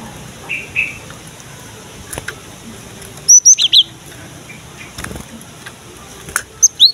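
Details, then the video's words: Cinereous tit, locally gelatik batu, in a lure recording for young birds: after a quiet start with scattered clicks, a burst of bright whistled notes, then a brief two-note phrase near the end. "KICAUAN BURUNG GELATIK BATU GACOR"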